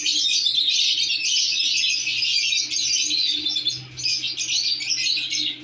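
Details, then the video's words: Lovebirds, a newly placed pair, produce unbroken high-pitched chatter of squeaky, scratchy notes, loud and dense, with a constant low hum in the background. "love birds k new pair lagay."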